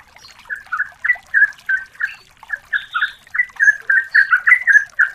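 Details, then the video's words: Lure recording of a female yellow-vented bulbul calling the male: soft chatter building into steady, bubbling two-note phrases, sometimes with a higher whistled note above, running throughout. "pancingan masteran betina memanggil"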